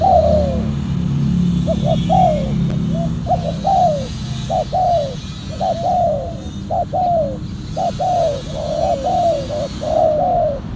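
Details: Spotted dove coos during decoy trapping with a silver, black-collared dove. Rapid series of short hoarse notes and falling coos repeat nearly a second apart, over steady low background rumble.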